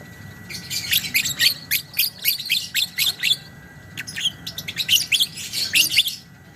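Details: Long chattering 'ngekek' song of a lovebird: quick strings of sharp, high, scratchy chips in two dense runs broken by a brief pause, over a faint continuous tone and low hum.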